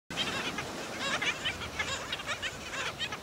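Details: Black Skimmers at St. Pete Beach, Florida, attacking and killing a chick; a dense chorus of harsh, nasal, yapping calls repeated rapidly and overlapping throughout.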